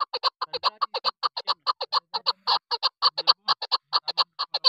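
A female chukar gives rapid, harsh, clucking chuck notes, about seven a second in an uneven rattling run, with nothing else heard.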